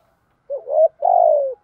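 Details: One two-part coo from a spotted dove in the 'thúc gù' style and 'giọng thổ' voice, used to train and stimulate newly caught doves: a short note rising in pitch, then a longer, slightly falling hum, in silence.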